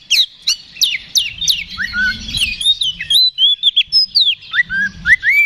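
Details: Fighting ngeplong song of an Oriental magpie-robin, played to rouse a response: sharp downslurred whistles, warbling phrases and sweet clear notes dropping and rising, with low rumble underneath.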